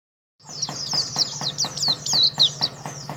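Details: Champion contest Oriental white-eye (pleci) from Karawang in the jetboy style, singing a rapid, high twittering of sharp descending chirps and trills, with steady clicking and a low hum underneath.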